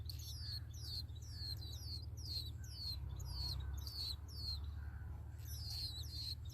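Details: Baby sparrows begging for food in their nest, a rapid stream of shrill descending peeps repeated several times a second, with a constant low drone beneath.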